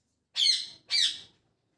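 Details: In the morning a parrot utters two separate harsh, high chirps of equal length, about half a second apart, in a quiet setting.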